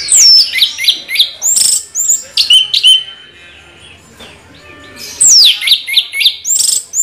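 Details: Rolling song of an Orange-headed thrush, bright high whistles sliding downward mixed with sharp chirps and trills, delivered in dense bursts at start and end around a soft quieter gap.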